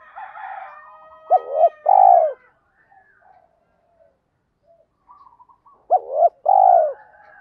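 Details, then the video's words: Spotted dove singing in the kích bổi style, compiled and edited: two short hooting notes then a long, purring, slightly falling coo, repeated after a pause, with a faint higher murmur early on. "tiếng chim cu gáy kích bổi mới nhất"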